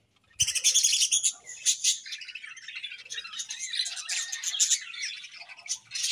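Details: A happy budgie colony fills the air with loud, overlapping chirps and scratchy warbles. The chatter is strongest in the first two seconds, then settles into a steady stream of high twittering.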